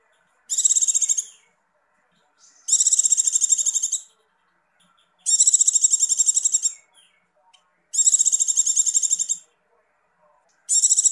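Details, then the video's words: Female Javan white-eye in breeding condition, used to raise males' breeding drive, repeats bright, high chattering trills roughly every two and a half seconds, each burst a second or more of rapid notes, five bursts in all. "pleci birahi negcir icir" icir" ampuh buat pancingan"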